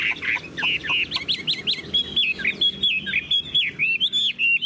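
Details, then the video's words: Chinese hwamei, tame and caged, sings bursts of rich, varied whistles, some rising sharply, others looping and wavering, packed closely together. "Họa mi đẳng cấp, chim thuần, hót như 1 cái máy"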